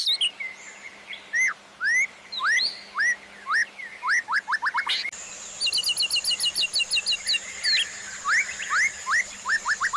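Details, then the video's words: White-rumped shama (murai batu) master song for training captive birds, featuring filler phrases and shots: rising whistles in quick runs, an abrupt switch to dense high trilled notes over a steady low hum. "MASTERAN MURAI BATU TERBARU 2025 🔥 | FULL ISIAN & TEMBAKAN"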